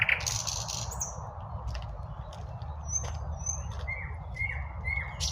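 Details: Midday spring birdsong with scattered high whistles and three short descending notes near the end, against steady distant highway noise.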